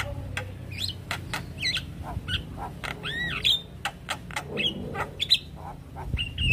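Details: Javan myna agitated by another Javan myna's call, mixing dry clicks with arched whistles and scratchy squawks at irregular intervals over a low background hum.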